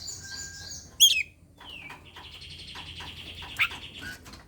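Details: Oriental magpie-robin calling a rival to fight, a recording used to encourage reluctant birds to sing: a buzzy high phrase, an explosive whistled note, a descending slur, then a long buzzy trill broken by sharp clicks and another loud note.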